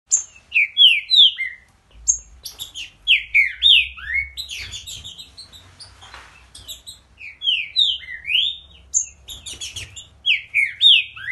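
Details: Green-winged saltator singing with plenty of energy and vigour: bursts of loud, rich whistled slurs, rising and falling, grouped in rapid phrases with thin high notes mixed in, pausing between phrases; faint low hum beneath.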